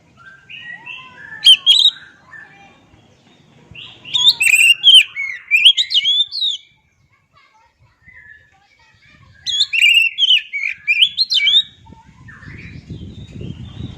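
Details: Oriental magpie-robin singing its original voice: three bursts of fast, varied whistles, trills and sharp chips, separated by short silences, ending with a low rumbling background noise.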